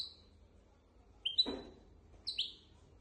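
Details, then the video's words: Goldfinch x canary hybrid singing as a tutor for goldfinches and canaries: two pairs of sharp, high, downslurred chirps about a second apart, with a soft thump between them in a quiet room. "تغريد طائر الهجين ميسترو حفاضه لتعليم طيور الحسون والكناري بدون اخطاء"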